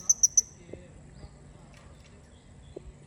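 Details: Male blue-crowned hanging parrot from Borneo giving three quick, very high, thin piercing notes in a rapid burst, then near silence with faint taps and rustles in the background.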